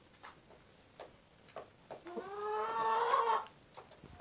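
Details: Black rooster of a breed from Indonesia with black eyes, skin and meat, among his flock: soft spaced clucks, then a louder harmonic call with a falling start that rises and holds for about a second.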